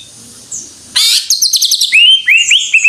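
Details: Greater green leafbird in full song: a sudden loud burst of buzzy high notes, a quick trill, then a series of clear upslurred whistles repeated rapidly.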